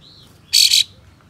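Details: Kapas tembak singing to provoke other birds of its kind into spreading their tails: one short, harsh, rasping burst, roughly a third of a second long, over quiet background hiss.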